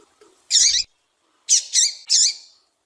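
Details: Double-collared seedeater female calling, meant to excite a captive male into song: one long, harsh, high chirp, then three rapid buzzy chirps in a run.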